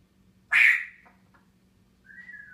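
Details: Grey parrot whistling in the morning while perched atop its cage: a loud bright whistle burst with a falling tail, then a quieter steady whistled note after a pause, over a low indoor hum.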